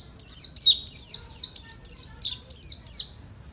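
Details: Oriental white-eye of the fighter type, a caged songbird kept in Indonesia, giving a high, bright song of eight sharp descending chirps with buzzy tails, spaced about every third of a second.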